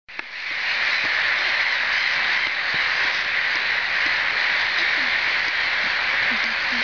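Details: About 4,000 black-headed gulls in Riga make a dense, continuous roar of overlapping harsh, screechy calls with no gaps.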